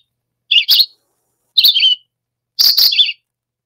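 Red-eyed Vireo singing three short, slurred, robin-like phrases about a second apart, each a quick chatty upslur or downslur, with nothing else heard.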